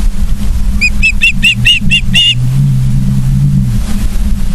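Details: Short series of about seven shrill whistled chirps from Ospreys at a Charlo, Montana nest, 31 August 2023, 09:36, followed by a low rumbling vehicle-like drone.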